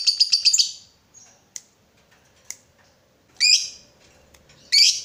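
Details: Lovebird used as a lure to trigger ngekek in other lovebirds: a quick burst of rapid high chirps opens, followed by a few sharp clicks and then two loud, harsh squawks near the end.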